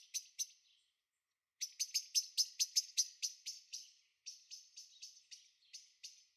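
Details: Second young Eurasian blackbird in a garden on 23 May 2013: a run of short, sharp, high chirps in irregular bursts, about two per second, with brief pauses between groups.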